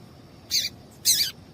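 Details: Two bright, high chirps half a second apart from a female papa-capim seedeater, calling to stir up males for song tournaments; the second note is longer and slides slightly downward, with quiet background hiss.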